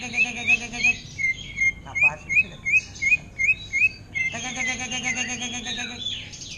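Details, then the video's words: Caged greater green leafbird singing in a style imitating the orange-headed thrush: a run of short, rising whistled notes, about three a second, followed by a burst of dense, varied chattering phrases. "Cucak Ijo Ngentrok Gaya Anis Merah"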